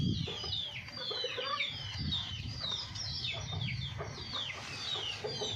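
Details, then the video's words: Domestic chickens from a home flock: a dense run of high, downward-sliding peeps overlapping quiet, low clucks and a constant low hum behind them. "Hen sound effect | Murgi Ki awaz"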